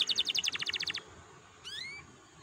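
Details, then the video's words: Canary song played to stimulate other canaries to sing: a rapid high trill of short pulsed notes for one second, a pause, then a single rising whistled slur. "PANCINGAN KENARI BIAR GACOR AMPUH MERANGSANG BUNYI"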